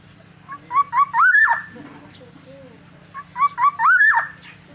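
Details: Kepodang, the black-naped oriole Oriolus chinensis, in energetic gacor song: two matching phrases, each a few quick rising notes followed by a rich swooping whistle, with a faint steady hum underneath.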